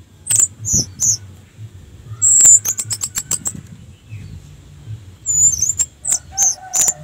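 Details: An orange-headed thrush sings as a lure for other thrushes: scattered high slurred notes, a sustained high whistle followed by a quick series of sharp clicks, then more high downslurred calls after a lull.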